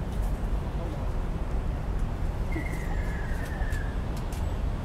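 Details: A ruddy kingfisher at Suan Rot Fai on 20/4/59 gives a single drawn-out, slightly descending whistled note of about one and a half seconds, over heavy low rumbling background noise.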